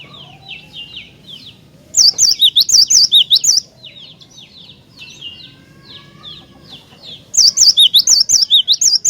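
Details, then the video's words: Cinereous tit in lively song, used to provoke other tits to sing: two bursts of bright, quick see-saw whistles swinging between a high and a lower note, with faint twittering from other birds in the gaps. "Jika Glatik Batu Anda Di Pancing Dengan Kicauan Glatik Batu Gacor Ini"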